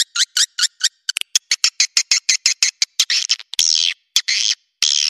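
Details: Roosting lure call of edible-nest swiftlets: a fast string of short, raspy chirps and ticks, ending in longer hissing, buzzy notes.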